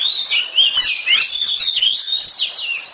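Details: Loud, clear singing from an oriental magpie-robin kept at home: a continuous, sweet warbling whistle that wavers up and down with no real pause.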